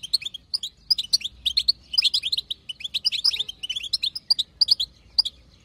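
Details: European goldfinch, wild female, chatter known as btbta: nearly continuous run of sharp, high twittering notes and slurred chirps, lively and tightly packed, easing off toward the end.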